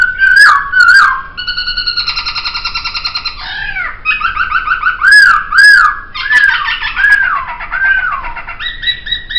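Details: Poksay laughingthrush, a training master recording: loud varied song with sharp clicks, a long buzzy trill, then several looping whistled notes that rise and fall, ending in a steady rapid trill, no other birds heard.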